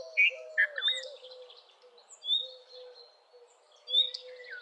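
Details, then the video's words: Red-vented bulbul opening with a couple of loud, rich, chuckling notes. Thin high whistles and low, drawn-out calls from other birds continue in the background. "Red-vented Bulbul Song ! Red-vented Bulbul Call ! Red-vented Bulbul Sound! Red-vented Bulbul Vocals"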